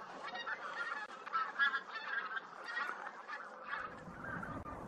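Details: Tundra bean geese near Hannover, Germany, 2021–2023, calling as a group: a dense, continuous chorus of overlapping nasal honks and cackles with no pauses, plus a faint low rumble toward the end.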